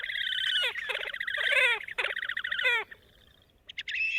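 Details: Horned grebe giving its raspy, thin, braying whinny, weaker than a red-necked grebe's: harsh nasal trilled bursts with quick descending notes, then a pause and a few squeaky notes. The species is most vocal early in the breeding season.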